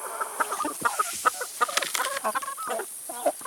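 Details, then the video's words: Chickens pecking at salad and vegetables, soft irregular clucks and low murmurs mixed with frequent sharp pecking clicks. "CHICKENS EATING SALAD & VEGETABLES"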